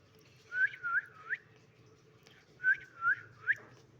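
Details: Talking parakeet mimicking speech indoors: two clear phrases of three whistled, speech-like notes, each rising at the end, separated by a short pause. A person speaks briefly nearby.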